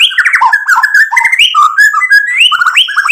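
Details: White-rumped shama singing as a lure to provoke other shamas to answer: a continuous, rapid run of varied whistled notes jumping between low and high pitches with no pauses.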